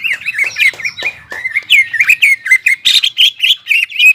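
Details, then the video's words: Energetic song of a captive greater green leafbird, played to make stressed, quiet leafbirds sing again: a continuous stream of quick warbled whistles and clicks, pitch wavering up and down, notes packed closely together. "CUCAK IJO GACOR JAMBUL NGENTROK PALING AMPUH MENAIKAN EMOSI CUCAK IJO STRES DAN MACET"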